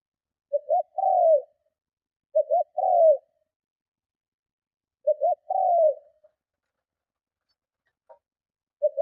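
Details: Spotted dove giving forceful coos meant to draw in and provoke rival doves; three two-part phrases of a clipped doubled note and a longer descending coo, spaced unevenly, then the start of another at the end.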